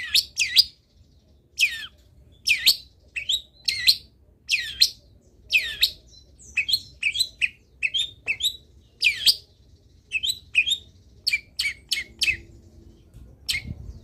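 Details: Long-tailed shrike in lively full song packed with varied fill-in phrases, used as a training recording to get other shrikes singing: rapid sharp chirps, rasping bursts and short trilled notes, irregularly spaced, with faint low hum behind.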